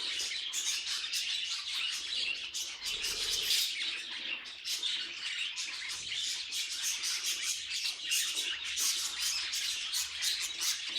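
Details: Busy budgerigar chatter: rapid, overlapping high chirps and squeaky warbles pour out continuously, a few louder sharp notes standing above the steady bright twittering.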